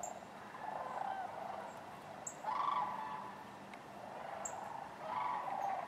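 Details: Distant flock of sandhill cranes at Wheeler Wildlife Refuge, Decatur, January 12, 2013, among other waterfowl: rattling bugles rise in overlapping bursts every couple of seconds, with faint higher chirps.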